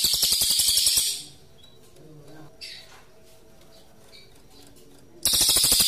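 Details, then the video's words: Cililin, the pygmy bushtit, singing its rolling 'ngerol' trill with pauses, as tutor material for magpie-robins: a fast high buzzy trill ends, about four seconds of near quiet with faint chirps follow, then the trill starts again. "Cililin Gacor Ngerol Cocok Buat Masteran Murai Jeda 5 Detik"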